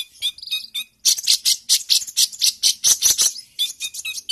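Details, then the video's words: A sunbird sings a lively, fast, high, scratchy chatter of sharp chips and buzzy trills in quick bursts, with a brief pause near the start; suited as a tutor recording. "Kolibrimu langsung fight dan gacor!!!"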